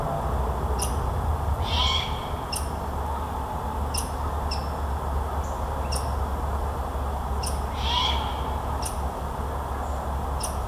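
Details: Grown owlet of great horned owl at a Michigan nature center, still calling to be fed by its parents in 2021: two hoarse hissing screeches about six seconds apart, with sharp faint clicks and low rumble around them.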